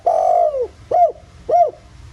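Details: Lure recording of a countryside spotted dove in the 'giọng thổ' voice: one long, steady, slightly falling coo followed by two short arched coos about half a second apart, with a low hum underneath.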